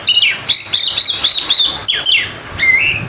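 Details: White-rumped shama singing as a lure to prompt lazy birds to sing: sustained clear whistled notes, varied sharp downslurred phrases and a rising final whistle, rich and loud against a quiet background.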